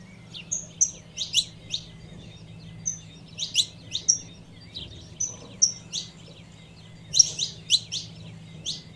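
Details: Saffron finch female calling to excite the male, giving sharp chirps mixed with thin piping whistles, loose irregular series with pauses, steady low background hum throughout.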